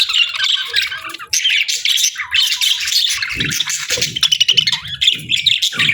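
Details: Happy budgies chirp and warble nonstop, a rapid mix of squeaky whistles and buzzy chatter, with soft low thuds scattered through the second half.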